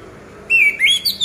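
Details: Orange-headed thrush gives a short song phrase of clear, high whistles, a level note then a quick rise into brighter sliding notes, after a moment of quiet; the recording is used to prompt silent caged birds to sing.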